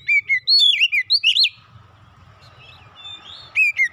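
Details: Oriental magpie-robin singing, used as therapy for a stressed bird; quick run of bright whistles and twisting slurred notes, a soft pause with faint distant notes, then the loud whistled phrases resume.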